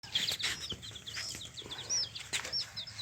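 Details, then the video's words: Yellow chicks of a hen cheeping, a dense overlapping flock of short high peeps, some rising and some falling, with a few sharp clicks mixed in. "Hen Chicks Colour full Yellow Baby Of hen Chirping Sounds"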